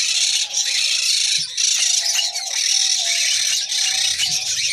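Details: Red-crowned parakeet female ready for mating produces loud, continuous rattling chatter, very high and harsh, with faint level low tones underneath and a couple of brief dips in loudness.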